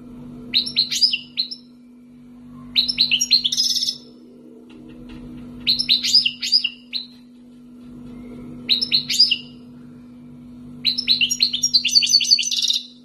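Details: European goldfinch, wild-caught and kept two years, Algeria: five short bursts of sharp, twittering chirps spaced about every two to three seconds, the last longer and buzzier, over a faint steady hum.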